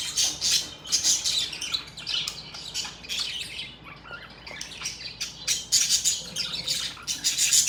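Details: Happy budgerigars in steady chirping chatter: overlapping high, scratchy squawks and quick twitters in bursts roughly every half second, louder at the start and end, several birds calling together.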